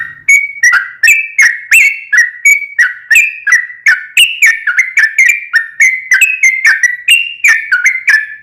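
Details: Sooty-headed bulbul lure song in gacor, long 'ropel panjang' style, meant to make another bird sing back: rapid run of liquid whistled notes, nearly three per second, alternating rising and falling phrases with crisp attacks, no other sounds.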